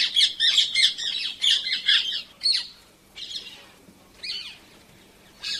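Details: Painted Spurfowl giving its loud, rapidly repeated 'chirr, chirr' call, about two or three harsh chirring notes a second, in bursts that fade and return.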